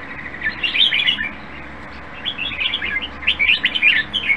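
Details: Caged red-whiskered bulbul, a contest bird judged nearly ready to compete, sings bright, quick warbled phrases in two bursts split by a short pause, each made of several lilting, chirpy notes, with a faint low hum underneath.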